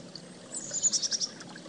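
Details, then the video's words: A chickadee gives a quick run of five or six high, thin call notes over a steady rush of flowing creek water. "Chickadee SOUND Effect"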